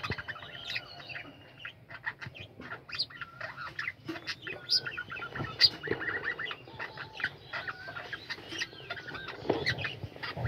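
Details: Home colony of budgerigars in full chorus, rapid overlapping warbles, chirps and drawn-out whistles forming a continuous chattering din for ten seconds.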